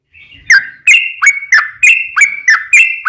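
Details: Yellow-vented bulbul singing a long, rapid lure song meant to make other bulbuls answer: steady string of whistled notes, each starting high and dropping sharply, about three a second.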